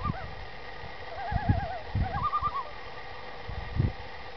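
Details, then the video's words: Common loons calling in the morning on Long Lake, New York Adirondacks: wavering, quavering mid-pitched calls in several bursts over a steady background hiss, with low dull thumps throughout. "Loons Calling"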